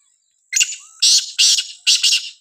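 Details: Black francolin, known in Sindhi as kala teetar, calling in a village: four loud, harsh, grating bursts in quick succession over about two seconds, with a faint steady high hiss in the background.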